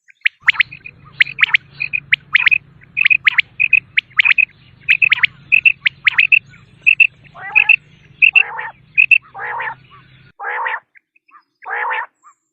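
A common quail gives quick, sharp, liquid triple notes in repeated bursts, then a run of lower, harsher single notes, over a faint low hum.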